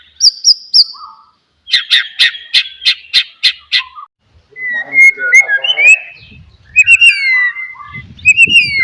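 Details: Oriental magpie-robin song to provoke a silent bird: a few high piping notes, a rapid even series of buzzy repeated notes, then sliding whistles with soft low rumbling noise.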